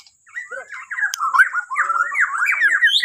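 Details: White-rumped shama of Borneo singing in the morning to stir other birds: a quick jumble of squeaky, chattering notes and short rising whistles, growing louder toward the end.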